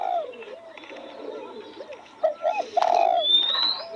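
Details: Spotted dove heard near freshly opened roses: soft overlapping coos build to a louder double hoot and a long sustained coo. A thin rising whistle from another bird follows.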